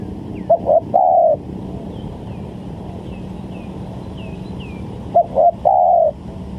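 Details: Spotted dove calling, recorded as a lure for catching doves: two cooing phrases about five seconds apart, each a clipped double note then a long coo, with soft swooping whistles of other birds and steady low hum between.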